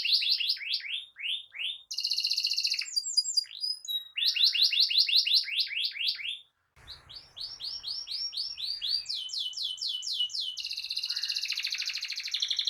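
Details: Canary in rolling 'ngerol' song, used as masteran for juvenile canaries and as a trigger for birds that have stopped singing: series of fast rising chirps, shifting into buzzy trills and sharp high notes, with one brief pause.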